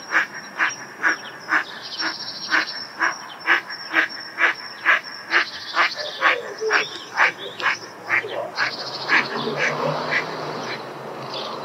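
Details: An eastern spot-billed duck at its breeding pond, where the ducks often become noisy and chase one another, gives a long run of harsh, nasal quacks, about two each second, over a thin, steady high-pitched background tone.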